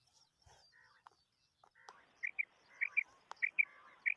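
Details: Common quail in a hunting recording: after a quiet, noisy opening, a run of short, high, clipped notes arrives in pairs, repeated about every half second over a faint background hiss.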